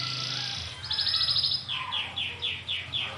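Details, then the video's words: Rolling song of a local brown canary: a sustained high note, a fast buzzy trill, then a series of falling slurred whistles repeated about three times a second. "SUARA BURUNG KENARI NGEROL PANJANG!"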